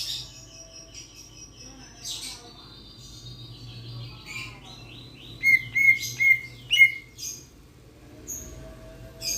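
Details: Raja perling, a starling-type bird from Sulawesi known for its loud voice, giving a varied song: scattered high chirps and buzzy notes, then a run of four sharp, loud whistled notes near the middle, with soft low hum underneath.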